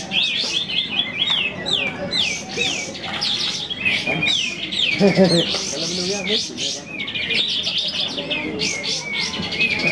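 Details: Several sooty-headed bulbuls sing over one another at a bird-singing contest in bright, bubbly, looping whistled phrases without pause, with brief human voices in the background; Sooty-headed bulbul.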